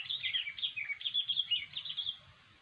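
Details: Chattering gacor song of a sooty-headed bulbul, cengkram style, meant for trapping lures: a quick run of rolling, slurred notes for about two seconds, then fading, with a low rumble beneath.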